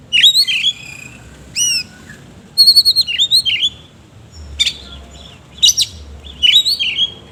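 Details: Singing oriental magpie-robin, ngobra style with coarse fill: crisp high whistles, rising slurred notes and quick chip series in separate phrases every second or so, with a low rumbling background.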